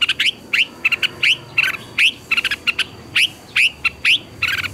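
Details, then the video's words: Red-whiskered bulbul morning song with double twisted notes, played to train caged birds; bright rising whistles alternate with fast paired chips in a brisk, continuous phrase. "Luyện chào mào hót sáng hay nhất, Ép chào mào hót âm kép xoắn hay tuyệt, luyện chào mào hót căng lửa"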